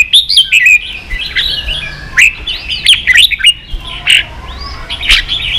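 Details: Red-whiskered bulbul song in the 'ché' style, meant for teaching young birds: lively whistled notes that bend up and down, given in bursts with sharp accented chirps, over a quiet background.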